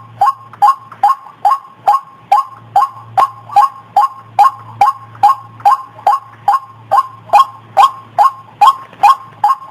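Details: Repeated lure call of a white-breasted waterhen: evenly spaced, croaking mid-pitched notes, roughly two or three per second in a long regular series, with a low background hum.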